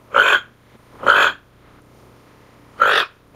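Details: Toco toucan (Ramphastos toco) gives three harsh, croaking grunts, each about a third of a second long, separated by uneven pauses.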